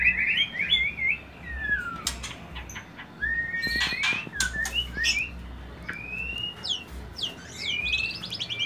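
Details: Varied song of a white-rumped shama, used as a lure to bring the bird into breeding condition: rapid wavering whistles, chattering bursts, sharp clicks and upslurred notes, fast and irregular.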